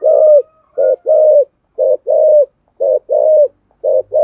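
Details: ["Spotted dove giving deep 'thổ' style cooing to stimulate other birds. Loud, low, throaty coos come in short and drawn-out units, about one each second."]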